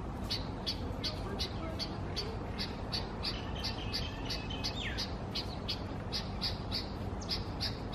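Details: Bulbul in Israel on 30 August 2016, angry at its own reflection in a mirror: short sharp high notes repeated about three times a second, with one downward-slurred note near the end, over steady low background rumble.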